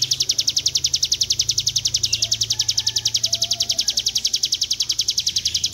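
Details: Prinia (ciblek gunung) in a long 'ngebren' trill used as a tutor recording: one unbroken, high, rapid buzzy trill of evenly spaced pulses, roughly ten a second, lasting the whole stretch, over a faint low hum.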